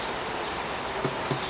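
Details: Black Woodpecker at the Korea National Arboretum, in the March–June breeding season, chisels the inside of its nest hole out of sight as the pair takes turns. Two dull, muffled knocks about a quarter second apart sound over a steady outdoor hiss.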